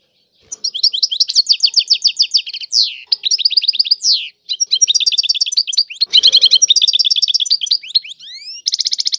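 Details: European goldfinch song in the tiwawati style: long runs of quick, bright twittering notes and rolling trills, broken by sweeping upward slurs and a final buzzy repeated phrase.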